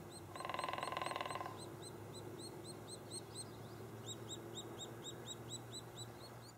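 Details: Nesting white-headed woodpeckers in Lassen Volcanic National Park: a rapid drum roll opens, followed by a long run of high, thin nestling chirps, steady and repeated a few times per second, over a low hum.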